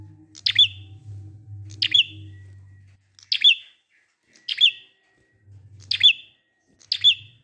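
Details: Six high, clipped prinia notes, each ending in a short level tail, spaced just over a second apart. Ngalun song used as a lure to make other prinias sing. A low hum is present early, then the background goes quiet.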